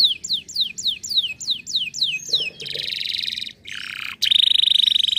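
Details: Canary song: a quick series of about seven high, descending whistled slurs, followed by a dense buzzy trill, a brief pause, and then a loud, fast rattling trill held at one pitch.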